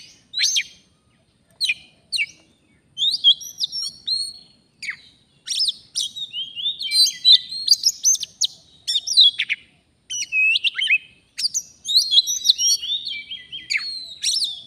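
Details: Oriental magpie-robin, a forest bird facing a fighter decoy in a trapping session, starts with spaced sharp chirps then builds into a continuous rich medley of whistles, clicks and warbles.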